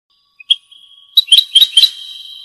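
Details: Tunisian goldfinch performing Rasta Torka song, opening with sharp single chips and a thin sustained high whistle, then a cluster of bright, ringing, emphatic notes over the held tone.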